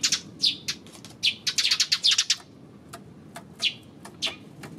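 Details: Sparrows chirping on 28 May, a dense run of bright, shrill notes around two seconds in, then scattered single downward chirps and clicks over a quiet background.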